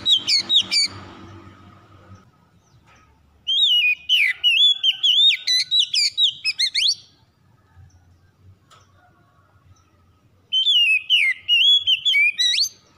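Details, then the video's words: Oriental magpie-robin singing, played to stir a reluctant bird into full song: three separate bursts of fast, bright whistled notes with sweeping slurs and high chips, divided by silent pauses of several seconds, with faint low hum between. "PANCINGAN SANGAT AMPUH MEMULIHKAN KACER MALAS BUNYI CEPAT GACOR"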